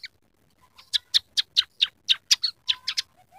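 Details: Scaly-breasted munia in full song, carrying mimicked canary, sparrow and red siskin material: about a dozen sharp, dry chip notes repeated roughly every quarter second, with faint low whistles underneath.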